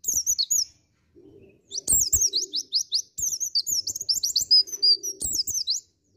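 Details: White-eye of the dakun type singing in the ngriwik style, from Indonesia: rapid bursts of thin, high, twittering notes with quick rising and falling slurs, in phrases of about a second separated by short pauses, over a faint low hum.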